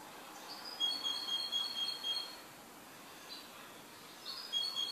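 A European Goldfinch sings thin, high, tinkling twitters in two short bursts, set against a steady background hiss.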